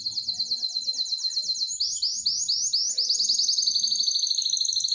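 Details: Canary song from an excited bird wanting to mate: fast, high, repeated trilled notes that speed into a dense, ringing roll, with faint low background sounds.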